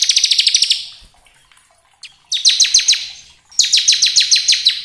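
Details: Bar-winged prinia, a lure recording meant to prompt birds to sing: quick trains of high, downward-sweeping chips repeated about three to four per second, in three bursts separated by short silences.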